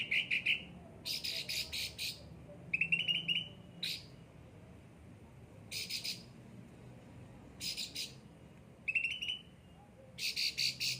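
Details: Pampered kept cucak ranting giving short song bursts: brief high trills alternating with harsh rattling clusters, spaced by quiet gaps of a second or more.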